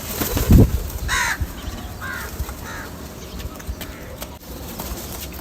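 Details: Crows among a large flock, calling for food: three harsh, hoarse caws spaced about a second apart, preceded by a low thump, over steady outdoor background noise.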